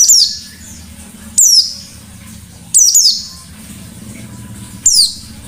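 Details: Active white-eye in forest-style sharp shooting delivery, used to lure other white-eyes: four loud, very high, sharply falling chirps spaced irregularly over five seconds against a quiet low hum.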